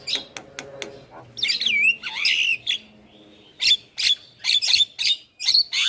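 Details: Javan myna singing in a master recording meant to prompt other birds to sing: sharp clicks, then a buzzy harsh phrase with a falling whistle, followed by bursts of loud broadband chattering notes.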